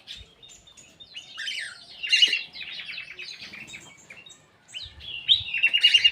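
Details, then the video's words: Black-capped bulbul in an aviary: bursts of bright, jumbled chirps and short warbled phrases, loudest around the middle and again in a rapid run of notes near the end. "KICAU KUTILANG EMAS \ CUCAK EMAS GACOR"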